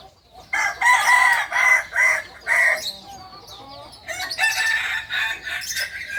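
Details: Purebred kukuak balenggek chicken from Solok in West Sumatra: a long stepped crow made of four strong harmonic syllables in quick succession, followed by a second, quieter burst of crowing, with light bird chatter behind.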